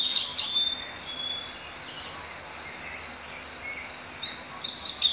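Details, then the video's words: Indigo bunting song: high, sharp, slurred notes in quick bursts, one phrase at the start and another after a short pause, over a soft outdoor hiss. "Bird Song Indigo Bunting"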